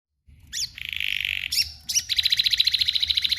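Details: Canary singing powerfully: sharp descending whistled notes, a rapid buzzy trill held around the middle, brief chirps, then a fast pulsed rolling trill of evenly repeated notes, loud and clear against a faint low background hum.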